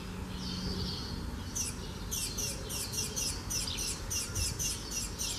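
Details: Spanish sparrow song from Gáldar on Gran Canaria, March 2017: a faint thin note, then a long run of bright, sharp chirps repeated in quick succession, with a constant low hum underneath.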